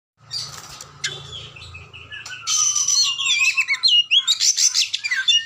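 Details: Oriental magpie-robin singing: scattered notes at first, then a loud, varied run of clear whistles, sliding phrases and sharp chirps, with a faint low hum beneath.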